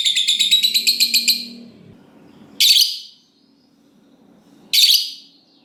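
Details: Lovebird opening with a quick buzzy ngekek trill lasting over a second, then two loud harsh shrieks about two seconds apart.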